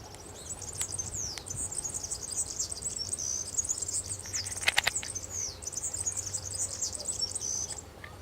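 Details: European serin in the wild, recorded in Zamudio, Bizkaia, 6 May 2018, delivering a long, shrill, fast tinkling song of crowded thin metallic notes, briefly paused mid-phrase, with a few clicks and a quiet background drone.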